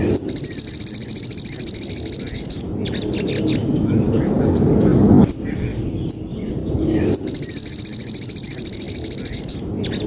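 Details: Training material of a songbird in a long, fierce fight: rapid high trills pulse in long bursts, separated by a quieter middle stretch of mixed chirps, over constant low background rumble.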